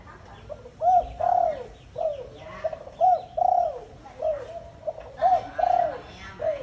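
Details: Two Malaysian zebra dove hens, described as suited for breeding, give soft, rolling coos in short arched notes, repeated in a steady cadence.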